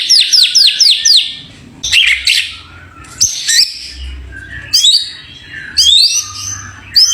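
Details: White-rumped shama, a champion bird, giving a series of five quick downward-slurred whistles, then separated bursts of sharp, chattering, sweeping notes with short pauses between; a low hum in the background.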